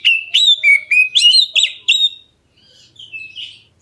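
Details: Rapid series of about seven loud, clear whistled notes from a black-breasted oriental magpie-robin calling to provoke other birds into answering, each note bending up then down, followed by fainter softer whistles.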